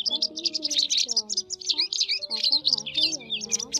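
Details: White wagtail lure sound for catching migrating birds in nets, 2020 season: an unbroken rush of high, overlapping chirps and twitters over sliding, warbling background music.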